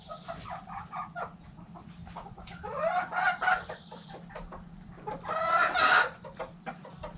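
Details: Backyard hens clucking and murmuring in a steady chatter, with two louder drawn-out squawking calls rising over the flock, plus faint background hum.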